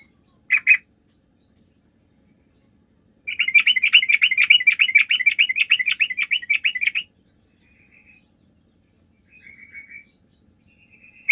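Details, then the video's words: Sooty-headed bulbul 'gacor' lure song intended to prompt replies from other bulbuls: one loud chirp, a pause, then nearly four seconds of rapid continuous twittering chatter, ending with soft scattered notes. "PANCINGAN TRUCUK GACOR"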